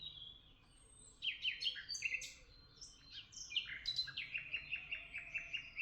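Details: Chorus of chirping birds in Tuzla: bright, clipped high notes overlap from about one second on, then one bird repeats a quick even chip several times a second toward the end.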